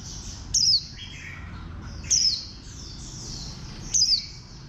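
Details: Warbling white-eye, described as a green bird with a bantam build: three crisp, very high notes falling in pitch, spaced about 1.7 seconds apart, over soft background twittering.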